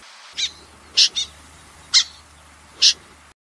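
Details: Common snipe giving a handful of sharp, scratchy, broadband notes spaced irregularly about once a second, one of them quickly doubled, against a quiet background.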